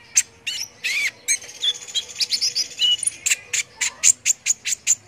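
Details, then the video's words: Brown-throated sunbird (konin) in energetic gacor singing, used as tutor material for competition birds: sharp high chirps and short buzzy notes, then evenly spaced bright ticks in the final seconds, with a faint steady low hum behind. "MASTERAN BURCIL AMPUH UNTUK BURUNG LOMBA BIKIN EMOSI || KONIN GACOR"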